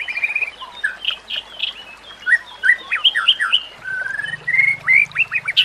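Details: Song of a white-rumped shama played to train other shamas, with nature sounds and running water: rapid jumble of short rising and falling whistled notes, some trilled, with a low hum beneath.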